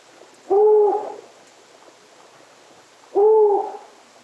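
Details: Long-eared Owl, a medium-sized owl smaller than a great horned owl, giving two low, steady, drawn-out hoots, each about half a second, spaced roughly two and a half seconds apart over faint background hiss.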